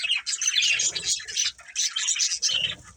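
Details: Budgerigar breeding pair, pet birds, giving dense warbling chatter of rapid high chirps and scratchy notes, continuous in bursts with brief pauses near the middle and end.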